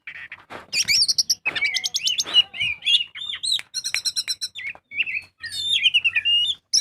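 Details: Vigorous kacer song in 'gacor' style, played as a lure to get birds singing: sharp upswept whistles, rapid stuttering trills and rattling note series, with a faint low hum near the end.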